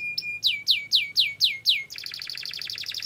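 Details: Canary long-roll lure song: six evenly spaced swooping falling whistles, then a rapid pulsing trill.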